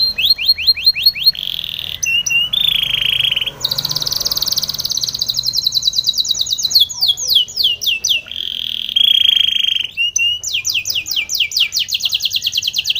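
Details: Song of a Spanish Timbrado canary for training other canaries: a varied series of fast high trills, buzzy sustained tours and rolling repeated notes, broken by short pauses, loud and close.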